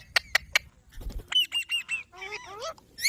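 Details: Three sharp clicks, then a string of nasal honking squawks and warbling twisted notes from green parrots.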